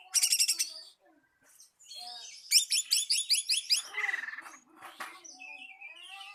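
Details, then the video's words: Oriental magpie-robin singing to call a rival, a mix of harsh rapid buzzy trills and clear whistled notes, some descending slurs, delivered in uneven bursts with short pauses. "Pancingan Burung Kacer Memanggil Lawan"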